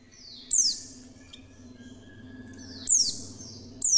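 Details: Female Oriental white-eye producing sharp, thin, downward-sliding chirps, three in about four seconds, unevenly spaced, used to entice other white-eyes into song; a low hum runs underneath.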